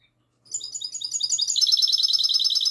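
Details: Goldfinch hybrid (mixto jilguero) singing classic-style song at night on 22 March 2020; after brief silence a loud, fast, high tinkling trill of bright repeated notes builds and thickens into a dense warbled run.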